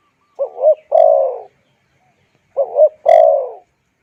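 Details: Spotted dove call used to rouse wild doves and train decoy birds: two phrases about two seconds apart, each a quick doubled low hoot followed by a longer, rougher drawn-out coo, with nothing else audible.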